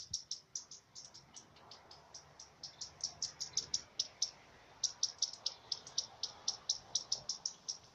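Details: Common redstart alarm signal, a chance recording: insistent high ticking notes repeated rapidly in two runs separated by a short pause, with faint low rumble at the start.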